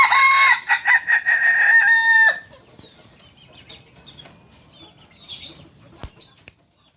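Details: {'caption': 'Kukuak Balenggek rooster of the red biriang colour, landiak class, from Solok in West Sumatra, ending a long crow with loud stepped syllables and a final held note, followed by quiet, with a few faint clicks and a distant cluck.'}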